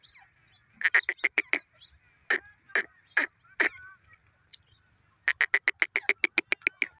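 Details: Grey francolin, the teetar, uttering a quick cluster of sharp notes, then three spaced single calls, followed by a fast even series of loud clipped notes.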